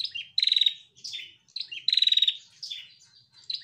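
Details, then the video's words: A female bar-winged prinia, recorded as a master track to prompt other prinias to sing, calls with bright high chirps and a fast, rapid trill, repeated in lively phrases. "Prenjak Betina Gacor"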